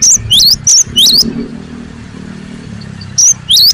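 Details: Sharp rising and high whistled notes from a cinereous tit in agitated song, in short bursts, with a motorcycle engine rumbling low in the background between them.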